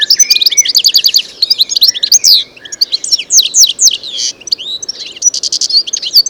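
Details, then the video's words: Wild European goldfinch song recorded in nature: a continuous, fast, bubbling twitter of bright tinkling notes mixed with quick rising and falling slurs and brief buzzy phrases, running unbroken across the whole stretch. "صوت الحسون حسون ذهبي عروس التركمان طقطق شوك الحسون صافي من الطبيعة European goldfinch sound"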